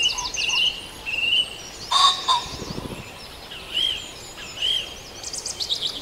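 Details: Morning chorus of birds at Farndale: repeated clear whistled notes, a loud burst of several overlapping calls partway through, and high twittering near the close.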